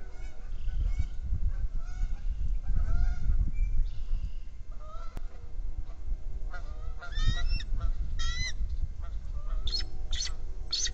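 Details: Bald eagles at a nest watched by a live nest camera, one of a trio, giving series of high, sharp, harmonic chattering calls in irregular bursts, some falling in pitch, over steady low wind rumble.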